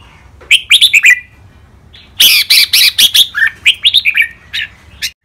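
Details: Caged red-whiskered bulbuls, two competition males in a training recording, singing styles called len rik, boen, lak wai, mae bot and nap dok: bursts of loud, bright chirping whistles, two phrases separated by a short pause.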